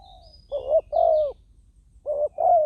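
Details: Spotted dove decoy calling on the ground to attract wild doves. Two close cooing phrases, each a short rounded note followed by a longer, smooth, slightly descending coo, with a faint high twitter in the background.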